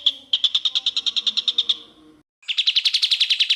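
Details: Greater green leafbird used as a tutor for other birds: two rapid bursts of clear, chipping repeated notes, the second phrase buzzier and slightly rising, separated by a brief pause.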